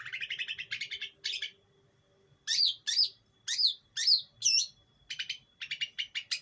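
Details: Hand-raised East Java long-tailed shrike used as a training lure gives rasping chatter, then five loud slurred, drooping calls about half a second apart, followed by more scratchy chattering notes.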